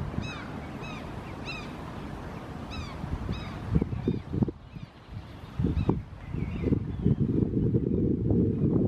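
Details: Barnacle geese (Branta leucopsis), families with downy chicks in a park in Helsinki, Finland, June 2018, give short, yapping barks in loose bursts, then fade behind heavy wind rumble and handling noise.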